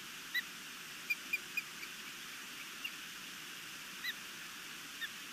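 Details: Osprey at a nest in Missoula, Montana, on 11 May 2021 around midday, defending the nest as an intruder passes overhead after the female returns with a fish: sparse, sharp, high whistled chirps, single and in quick pairs, over steady background hiss.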